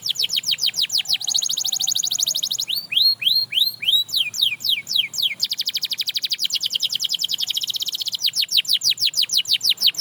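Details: Canary song said to inspire other canaries to sing again: continuous high trills of rapid repeated sweeps, broken by a few slower descending whistled notes, then more fast rolling trills.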